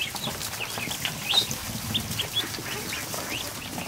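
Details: Newly hatched ducklings, more than a hundred together in a kiddie pool inside a barn on an afternoon, giving a dense chorus of high, thin peeps that rise and fall, with soft tapping and splashy background noise.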